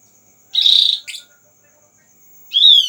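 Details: Lure call meant to make a Javan grey-throated white-eye respond at once: a dense buzzy note, a brief rough follow-up, a pause, then one arched harmonic note; steady faint high hiss behind.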